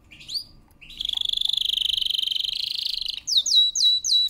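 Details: Canary with a powerful training song: soft opening notes, then a two-second rolling trill, followed by several loud slurred whistled notes.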